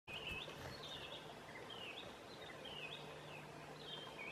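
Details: Song thrush (Turdus philomelos) singing through the night at midsummer in Southern Savonia, Finland: short, clear whistled phrases of two to three notes about every second, over steady hiss and a low hum.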